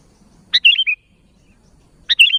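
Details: Two quick bubbly phrases from a sooty-headed bulbul calling to its fellows, each a sharp note dropping into a short warbled flourish, with a quiet low background rumble.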